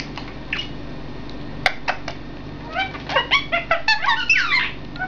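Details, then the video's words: Three parrots kept indoors calling back and forth; scattered sharp clicks and squeaks, then a fast run of chirped, bending notes and a rising-falling squawk near the end, over a low room hum. "разговор 3 попугаев"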